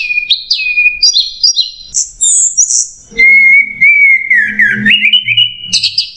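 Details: Orange-headed thrush singing a clear, continuous masteran training song in macet jernih style: high chirps and slurred whistles, then a long steady whistled phrase that dips and rises again, with faint low rumbling beneath.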